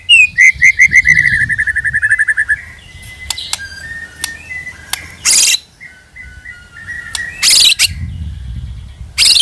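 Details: White-rumped shama lure sound: a quick series of high notes and a long fast trill, then faint soft whistles broken by loud bursts of noise.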